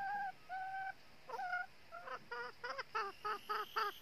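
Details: Red-eared northern junglefowl decoy hen calling at a trap to lure wild males: two drawn-out nasal notes, then a quickening run of short harmonic clucks, about four per second by the end, over quiet background.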